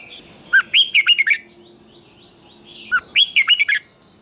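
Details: Training for fighting song, a red-whiskered bulbul sings two similar phrases of about six crisp, swooping whistles each, separated by a pause of over a second, with a steady high-pitched background hum.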